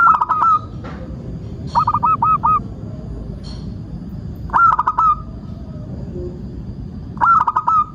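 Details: Local zebra dove (perkutut) singing as a lure to prompt other birds to call: short rolling cooing phrases of quick notes ending in a held tone, repeated every few seconds over a low background rumble.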